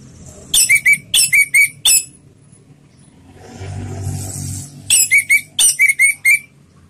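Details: Slow ngeplong song of an orange-headed thrush, meant as a lure to get other birds singing: rapid clusters of sharp, high whistled notes, a pause with soft rushing noise, then another fast whistled burst.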